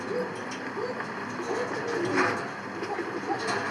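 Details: Fancy and high-flying domestic pigeons cooing at a small pigeon farm in Savar, Dhaka: soft, low, repeated coos against a steady background hiss.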